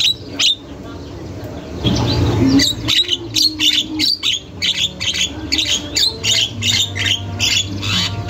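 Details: Javan myna singing nonstop in a masteran recording: a short burst of noise, then a fast run of harsh, chattering high notes, several each second, with a low background hum.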